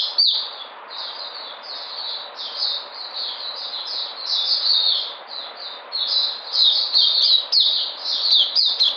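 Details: A white-eye (puteh) recovering its energy, 13 February 2020, delivers a dense, continuous twittering of high slurred notes, rising and falling in loudness, with a few brief pauses.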